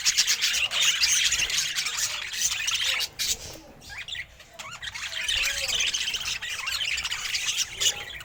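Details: Budgerigar kept as a pet, described as very happy: rapid, busy high chirping and warbling, briefly quieter around three to four seconds before the chatter resumes at full density.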